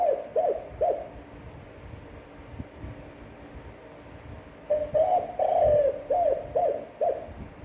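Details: A cu gáy (spotted dove) repeats its standard coo for daily decoy training: three quick hoots at the start, a long gap with light background noise, then a rich burst of drawn and clipped coos.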